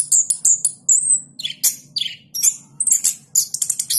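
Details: Orange-headed thrush that won the presidential cup in Yogyakarta, caged, singing high thin whistles and a drawn-out squeaky note, then harsher buzzy bursts and quick chatter, over a faint low hum.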